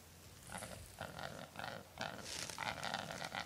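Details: Lek-crazed wild hybrid of capercaillie and black grouse (rackelhane) at Halleberg, Västergötland, Sweden, on 27 December 2008; hoarse, croaking bursts repeat several times a second with faint background noise.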